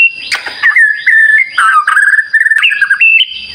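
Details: White-rumped shama in prolific lure song meant to stir other shamas: sustained clear whistles stepping between pitches, broken by quick trills and rougher notes.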